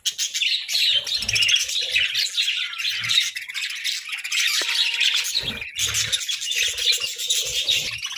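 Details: Playful budgerigars kept as pets fill the air with steady high twittering and squawky warbles, a brief dip in the middle, then more chatter.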